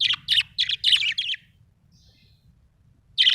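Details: Happy budgie giving a quick run of six harsh, high chirps in just over a second, then a pause of near silence before another chirp starts.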